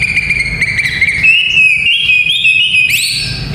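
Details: White-rumped shama song for training young fighter males: a long, wavering whistled line held at one pitch, stepping slightly higher, then a sudden leap to a high whistle near the end, over faint low background noise.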